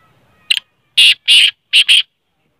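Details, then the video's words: Black francolin, locally kala teetar, giving a loud, harsh grating call: five rasping notes packed into about one and a half seconds, the middle two longest, closing with a quick double note before silence. "kale teetar ki awaz || 1mint mai 20 awaz || Black partridges sound || black francolin"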